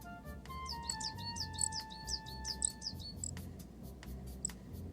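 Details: A Coal Tit calls at a nest box during incubation in May 2026, as the male brings food to the female. It gives thin, very high chirps in quick irregular bursts, about three a second, over soft musical tones and a low hum.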